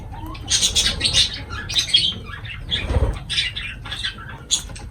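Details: Lovebirds eating give loud, grating squawks and chirps in dense groups, with one dull thump in the middle.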